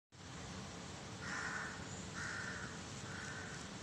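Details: Black crow calling, recorded 13 May 2023: three hoarse, nasal caws spaced about a second apart, set against a steady broadband outdoor hiss.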